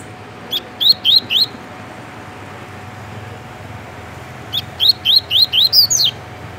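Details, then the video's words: Double-collared seedeater kept in Rio de Janeiro, Brazil, singing in the tui tui style: four quick upslurred whistles, a three-second pause, then a longer phrase of seven notes ending in a higher, descending flourish. "Coleiro TUI TUI MUSTANG dando um show de cantoria"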